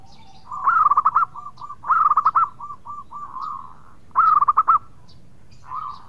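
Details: Local zebra dove (perkutut) singing in the gacor style, a rapid series of bright fluttering coos around the same pitch, repeated in bursts about every one and a half seconds, with softer trailing rolling notes between.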